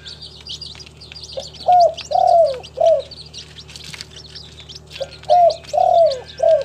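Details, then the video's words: Spotted dove, local tekukur from a collection in Timika, Papua, repeating its soft three-part coo twice, each with a brief lead-in note and a long falling middle note; busy chirping of small birds behind. "SUARA BURUNG TEKUKUR LOKAL, THE SOUND OF SPILOPELIA CHINENSIS"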